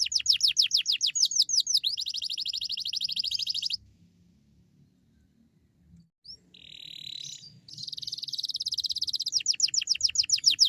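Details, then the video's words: Canary in 'gacor' form singing 'cuit cuit nembak', used to draw other canaries into singing: quick sweeping downslurred notes and a buzzy roll, a silent pause, a softer warble, then renewed rolling trills. "Suara burung kenari GACOR Cuit cuit nembak AMPUH ‼️ cocok untuk pancingan kenari lain"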